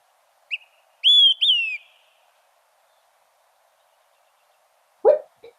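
Olive-sided Flycatcher gives its three-part song: a brief soft note, then two loud slurred whistles, the last dropping, like 'quick three beers'. A short voice follows.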